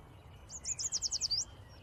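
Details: A fainter yellow warbler song: a rapid series of seven or eight high, bright notes that finish with a sharp slurred flourish. The phrase is over in about a second, with soft low background noise throughout.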